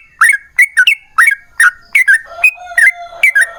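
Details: Long 'ropel panjang' song of a yellow-vented bulbul, used to get other bulbuls singing: quick fluty gurgles in pairs and triplets, with a faint steady lower tone underneath near the end.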